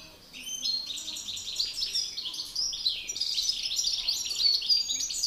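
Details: Male European goldfinches in a singing battle, a master singer versus an agitated male: unbroken stream of high, tinkling, chattering notes and sharp twitters, steady and energetic throughout.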